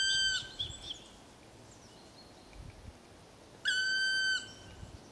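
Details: Black woodpecker calling back in answer to a person's call: two drawn-out, harmonic-rich, level nasal notes, each about half a second or more, three seconds apart, against a quiet outdoor background.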